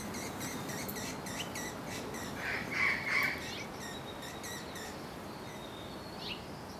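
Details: Allen's hummingbird during courtship gives rapid high, dry ticking chips, a brief louder chatter midway and a thin downslurred note near the end, over a steady hiss.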